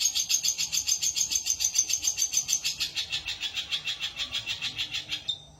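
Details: Long-tailed shrike in the isian gereja sparrow-fill style, giving a long run of rapid, evenly spaced bright chirps, about three or four per second, for over five seconds, ending in a short high note.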